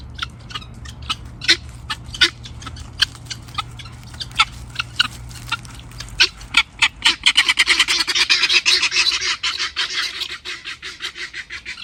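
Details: Helmeted guineafowl, called capote in Brazil, crying on a farm: sparse sharp harsh notes at first, then building into a rapid chorus of grating, rhythmic cries from several birds in the second half.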